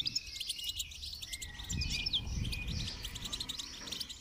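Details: Goldfinch song used for song training: rapid, twittering high chirps and trills repeated several times a second, with bursts of low rumbling noise in the middle.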